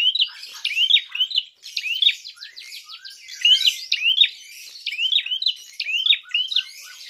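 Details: Prinia calling aggressively to provoke other birds: nearly continuous series of hooked chirps in quick groups, with buzzy ticking notes woven between them and a dense high twitter underneath.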